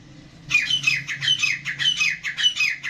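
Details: Kala teetar, a black francolin of the Gangas line, begins after a short hum-filled pause with rapid grating notes that drop in pitch, repeated roughly every half second in a steady scratchy series.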